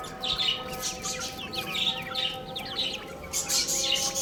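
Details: Baby chickens eating and playing fill the air with quick, shrill peeps, many falling in pitch, overlapping closely and growing louder toward the end, with a faint steady tone in the background.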